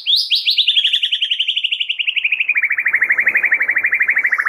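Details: White-rumped shama in lively, varied song, used to spur stressed or silent shamas; a long, fast, even rattle of buzzy notes sliding slowly downward, about ten per second, continuous for over four seconds.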